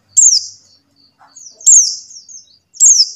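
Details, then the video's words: Three piercing, falling whistled notes from a buxtoni white-eye, used as a lure call to get silent white-eyes singing, with faint soft twitters between them in a quiet setting. "suara CALL PLECI BUXTONI | untuk pancingan PLECI MACET BUNYI"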